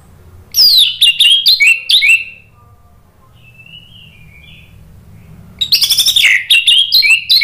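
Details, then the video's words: As a lure meant to coax singing, an orange-headed thrush delivers ngeplong-style song: a fast series of loud, sharp, falling whistles, a faint distant warble, then another dense, rich burst of notes. "PANCINGAN ANIS MERAH NGEPLONG merangsang BUNYI jadi NYAUT GACOR NGEPLONG"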